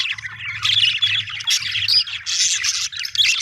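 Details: Cheerful budgerigar chatter: busy high-pitched chirps and short squeaks run without pause, over a faint low hum.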